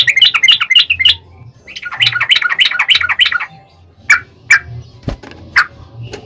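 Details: Yellow-vented bulbul in fighting song, used as a lure to make other bulbuls answer: bursts of bubbly, gurgling chirped notes in two phrases, then a few sharp isolated notes with a low hum underneath.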